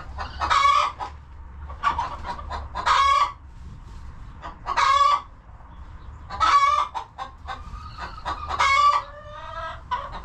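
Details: Homestead chickens in their coop: five loud, raspy squawks spaced every one to two seconds over quieter scattered clucks, ending with a few longer, tonal notes.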